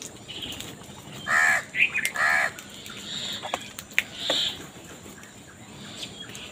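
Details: Crows fighting over food, with two loud, harsh cawing calls near the middle, a shorter caw between them and a higher call afterwards. Faint chirps from other birds and steady background noise continue throughout.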